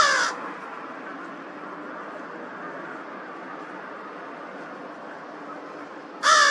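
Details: A crow at Twin Lakes on 18 March 2023 makes an unusual sound: two brief, harsh, raspy calls, one at the start and one at the end, separated by about six seconds of quiet outdoor hiss.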